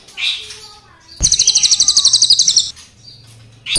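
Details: Crested jay, black and brown birds, singing a long rolling series: a fast mechanical rattle of about sixteen pulses lasting under two seconds, with softer chirps before and after.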